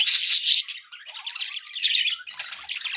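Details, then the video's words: Budgerigar chatter opens with loud harsh squawks, then settles into softer scratchy twittering and quick chirps. "budgie sounds"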